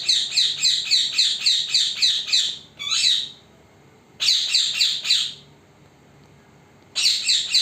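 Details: Parrot, recorded in secret so it would not see the recorder, giving long bursts of rapid, rhythmic, grating squawks at about three or four per second, separated by short silences.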